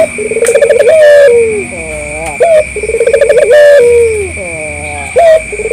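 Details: Repeated calling of a local collared dove, meant to lure other doves into responding: each phrase a fluttering, bubbling coo that swells then slides down in a long note, followed by a short sharp coo; steady electronic whine behind.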